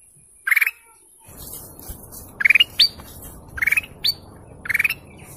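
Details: Golden canary calling repeatedly: short stuttering buzzy bursts alternating with quick upward-swept whistled notes, about one phrase each second, over a steady low background hum.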